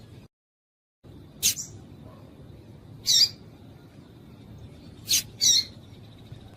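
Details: Female double-collared seedeater giving a call meant to stir up the male: short high chip notes, one, then another, then a quick pair, spaced a second or two apart against a quiet low rumble.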